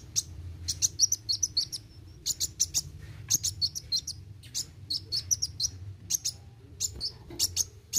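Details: Sunbird, local name kolibri wuling, chattering in roll tembak style with dense bursts of shrill high chirps and brief pauses, a thin whistle between phrases, low hum underneath.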